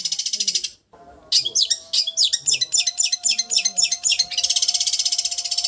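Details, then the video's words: Long-tailed shrike, recorded to train cage birds in the raja getar restu petir style, ends a buzzy trill, pauses, then gives a run of varied sharp chirps about four per second before another fast high trill. "Masteran cendet raja getar restu petir"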